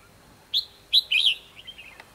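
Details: Red-whiskered bulbul fighting song recorded during trapping with a decoy bird on 24 December 2015: three short, bright, whistled notes, the last a warbling slur that trails off into softer chirps.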